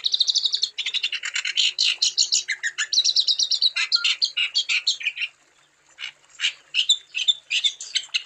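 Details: Wambi song intended to prompt other wambis to sing: long dense run of high, rapid trilled and buzzy notes with varied chattering phrases, a brief pause, then more sharp chirps and whistles.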